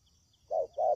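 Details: Spotted dove lure call for trapping: two short, low, rounded coos in quick succession about a quarter second apart, with faint high peeps in the background.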